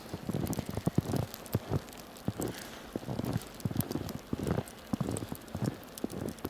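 Irregular low thumps and rumbling wind noise with patter like rain, and no animal voice anywhere.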